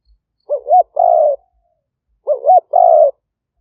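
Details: Spotted dove calling as a trapping decoy in rural Roi Et, Thailand, recorded live by smartphone in 2021; two identical phrases about 1.8 seconds apart, each a doubled looping note leading into a drawn-out buzzy coo.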